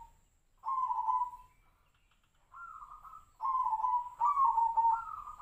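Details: Zebra dove of the Tejoanom song style, its voice likened to the sirtu-sirpo bird: three separate cooing phrases at a steady middle pitch, the later ones longer and ending in a wavering, trilled flourish, against a quiet background.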